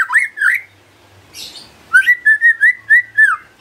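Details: White-rumped shama song used to coax other shamas into singing: two slurred whistles, a soft hissy note, then a string of about eight clear whistled notes repeated in quick succession.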